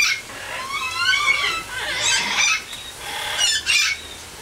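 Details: Tiki, a 34-year-old male greater sulphur-crested cockatoo at a sanctuary, gives wavering, nasal squawks that rise and fall while enjoying an aviary shower, broken by two harsh, hissing bursts about a second and a half apart.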